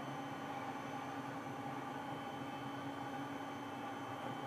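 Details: Constant electrical hum with steady tones and low rumble, unchanging for the whole stretch, with no animal sounds.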